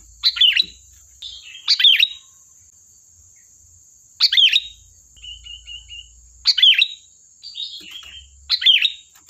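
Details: Lively song of a sooty-headed bulbul, used to draw replies from other birds: loud, bubbling phrases, some in quick pairs, mixed with soft series of repeated notes. A constant high whine continues behind them.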